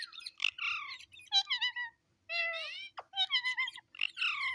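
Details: Pet talking parrot repeating its own name: bursts of harmonic, nasal, wavering speech-like syllables, some rising and falling, separated by short pauses; indoor quiet with faint low hum.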